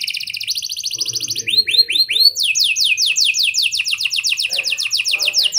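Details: Canary song meant to encourage young canaries to sing often: opening fast double-pitched trill, then rising and falling whistled slurs, ending in a long run of steady repeated down-sweeping notes.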